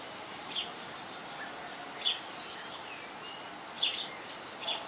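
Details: House sparrow chicks at a nest on a roof, being fed by their mother: four short, high, thin squeaky chirps spaced irregularly about one to two seconds apart over steady background hiss and a faint high whine.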